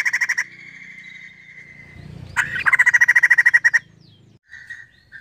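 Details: Female white-crested laughingthrush with short harsh pulsed runs, a drawn steady note between them, then a longer rapid pulsed scream and a few faint calls afterward.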